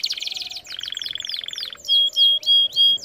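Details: Canary training song: a fast, bright song with a rapid trill of repeated notes, then a run of clear, loud, whistled notes about three per second.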